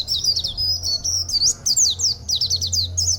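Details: Oriental white-eye, a local bird with an unusual, rarely heard song character, possibly learned from mixing with other white-eyes; rapid high twittering and looping chirps in continuous bursts, strong and steady.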